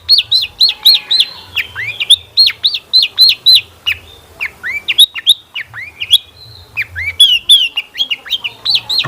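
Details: Long-tailed shrike lure song meant to make birds sing along: fast, rhythmic chain of looping whistled notes, about three to four per second, in repeated phrases.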